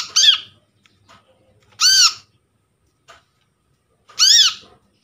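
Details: Lure sound of a brown-throated sunbird recorded from a trapped bird, meant to draw in birds and restart silent ones: three strident, rasping, arch-shaped notes spaced roughly two seconds apart, with small ticks in between.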